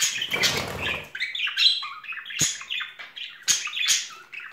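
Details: A courting budgerigar pair in spring warbles and squawks in busy, scratchy phrases. A short rumbling noise sounds at the start, and a few sharp clicks come later.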